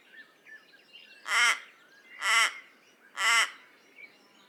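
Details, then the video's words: Raven uttering three loud, hoarse caws about one second apart, each short and coarse, with soft twittering of small birds in the background. "Raven Sound | Mysterious Calls of One of Nature’s Smartest Birds"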